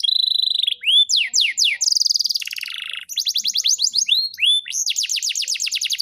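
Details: Canary song recorded in Rembang: a steady high whistle, swooping upslurred notes, a coarse buzzy rattle, then quick repeated trills at a strong, even volume.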